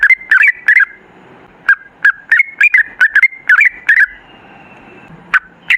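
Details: Sooty-headed bulbul singing, meant as a lure to draw bulbuls into song: irregular short phrases of bubbly, slightly rising warbled notes in quick clusters, with a longer quiet spell near the end before two final notes.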